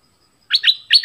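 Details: Orange-headed thrush song used to attract wild birds and train young birds: a brief run of three rich, slurred whistled notes.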